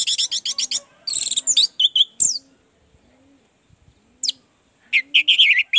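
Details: Orange-headed thrush song for therapy of a bird reluctant to sing: a fast run of repeated chips, buzzy slurred notes, a silent gap, then rich warbled phrases, with faint low cooing behind.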